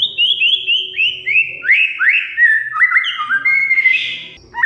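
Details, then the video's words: Oriental magpie-robin (kacer) song used as a lure to make a silent bird sing: series of rising whistled notes stepping downward in pitch, then lower slurred whistles and a buzzy burst, clear and loud. "Kacer Mogok Bunyi Tiba-tiba Gacor Isian Mewah"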